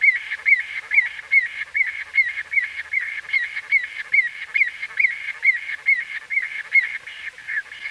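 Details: White-fronted bee-eater heard at close range, giving regular bursts of short, rising, nasal call notes at a brisk pace while a thick background chorus of similar voices carries on throughout.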